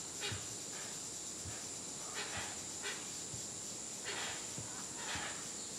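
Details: Hoatzin in Tambopata National Preserve, Peru, 2014, giving breathy, wheezing, hiss-like calls with low grunting undertones in irregular groups, set against a constant shrill insect chorus.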